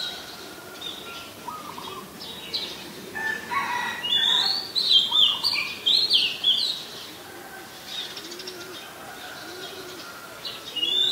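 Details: An Oriental magpie-robin sings in Ubon Ratchathani, Thailand, on 14 October 2021: a varied run of clear whistles, rapid chattering trills and scratchy notes, loudest in the middle, over a steady background hiss.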